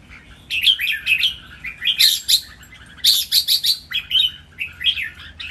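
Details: Caged red-whiskered bulbuls, three birds pitted against each other, in lively 'ten rik-ble' style training song: quick bright chirped phrases with rising and falling whistled notes, in bursts about every half second, then short pauses. No other clear sounds.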